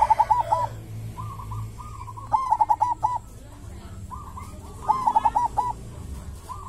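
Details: Local wild-type zebra dove (perkutut lokal alam) singing a big, thick, echoing mojopahit-style song: three cooing phrases of rolling, bubbling notes. Each phrase comes about every two and a half seconds, with softer coos between them over a low hum.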